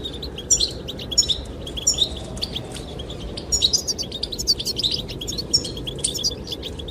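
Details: Goldfinch singing meant to attract the female: scattered high chirps and brief twittering phrases, sparse at first and then denser, set against constant strong wind noise.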